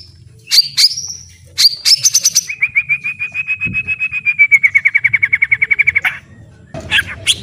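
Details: Full white-rumped shama song as training material: high whistled notes open into a long steady trill of about thirty evenly repeated notes lasting over three seconds, ending in a short burst.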